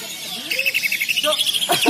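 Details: Greater green leafbird singing at a bird-singing contest: a quick run of clear, bright whistled notes repeated evenly for about a second, with scattered chirps from other birds around.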